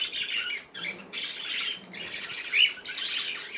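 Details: Playing baby cockatiel: rasping squawk bursts lasting half a second or more, separated by short pauses, with one brighter chirp near the end.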